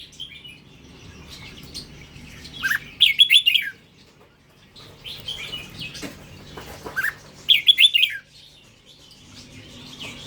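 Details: Indonesian-strain red-whiskered bulbul delivering short lively phrases of quick warbled, chirping notes, two clear bursts several seconds apart with softer twittering between, over a faint low hum.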